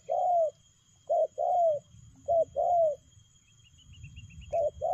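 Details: Spotted dove giving short-long coo pairs in the fast 'lèo gù' style, then a pause filled with faint high chirping of a small bird before the cooing resumes.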